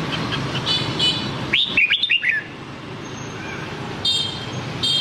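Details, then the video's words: Red-whiskered bulbul, Nam Đông style song used to coach white-cheeked bulbuls: a single lively phrase of five slurred descending whistles mid-recording, with faint high ringing tones before and after. "Luyện Giọng Chào Mào Má Trắng Bằng Giọng Chào Mào Nam Đông Hay Nhất 2022"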